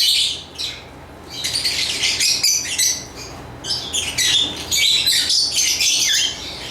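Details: After a quiet opening second, a lovebird breaks into rapid, shrill chattering with sharp squeaky chirps that continue in overlapping bursts to the end.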